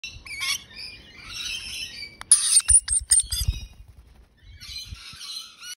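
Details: Young rainbow lorikeets, still learning to walk and eat apple: high, shrill screechy chatter in overlapping bursts, a sharp squeal near the middle, with low thumps and scrabbling from the birds moving about.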